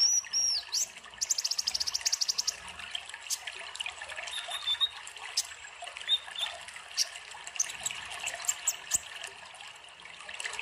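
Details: An Olive-backed Sunbird gives thin, high tinkling notes and a quick buzzy trill near the start, over trickling water. The recording is used as a lure and master song for training birds.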